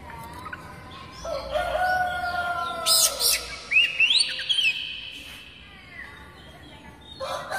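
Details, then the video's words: Oriental magpie-robin (kucica kampung) singing as a tutor sound for kept birds. A few loud rasping chips are followed by sweeping whistled slurs. Lower drawn-out tones and a soft hum fill the background. "Banyak kacer LANGSUNG BUNYI dengan suara khas kacer ini MASTERAN KUCICA KAMPUNG"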